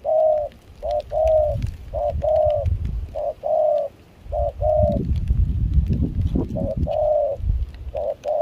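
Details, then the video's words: Caged decoy spotted dove used for dove luring in Kon Tum, Vietnam, singing in rain and chilly wind; voice of mixed foreign style. Mellow low cooing phrases repeat in short bursts over rumbling wind noise. "Gác cu khi trời mưa gió se lạnh.bổi giọng pha nước ngoài chơi tốt"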